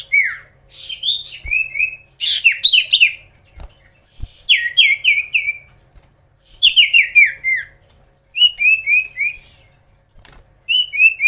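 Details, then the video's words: Common iora in energetic, continuous song meant to agitate rival birds: loud series of slurred, downward-sliding whistles in quick runs of three to five notes, separated by short pauses, with faint high chips above. "SIRTU/CIPOH GACOR BIKIN EMOSI SEMUA LAWAN!"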